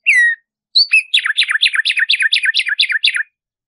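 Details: Black-striped Sparrow (tumba yegua) song, played to teach and stimulate singing: a sharp downslurred whistle, a pause, then a fast series of about fourteen buzzy downslurred notes. Clean recording, no other sounds.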